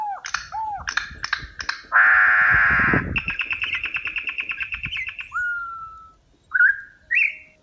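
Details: Song of a campo troupial mixing brief whistled notes, a coarse buzzy burst and a long pulsed rattle, then a steady clear whistle and two slurred notes. Low rumbling background noise throughout.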